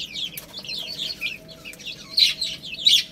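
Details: Little chicks eating rice chirp rapidly, with clustered shrill, descending peeps coming several times a second and a few louder notes near the end.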